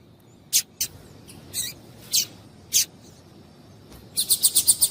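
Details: Female double-collared seedeater calling to stimulate males to sing: scattered sharp, high chirps at irregular spacing, then a quick run of six evenly repeated bright notes near the end.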